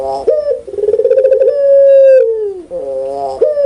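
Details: A pelung Barbary dove coos loudly and cleanly in the laughing style, a rapid bubbling stutter running into a long steady tone that drops at the end, followed by a quieter wavering note.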